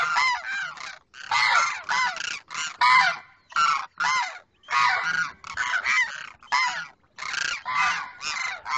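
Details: Male demoiselle crane calling to a female, a pair recorded apart on either side; hoarse rattling trumpet notes in choppy bursts of about half a second, repeated steadily with brief gaps.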